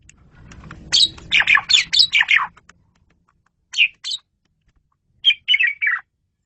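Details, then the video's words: Asian pied starling used as a master for training song, giving a run of rapid harsh chattering and whistled notes, then scattered single notes and a short closing burst of descending slurred phrases. "KICAU SUPER GACOR!!! JAGO BANGET MASTERAN JALAK SUREN INI"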